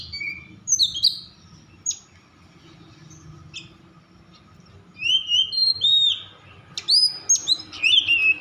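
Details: Oriental magpie-robin (kacer) in an agitated, over-emotional state, used to provoke other magpie-robins into singing: scattered sharp whistles and chirps early, then a quiet gap and a burst of varied slurred whistled phrases from five seconds on.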